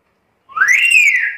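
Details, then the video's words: Black-capped lory, a chatty bird that can talk, giving one smooth whistle that sweeps upward, holds high and eases slightly down, lasting nearly a second. "BURUNG NURI KEPALA HITAM GACOR BISA NGOMONG SUPER CEREWET"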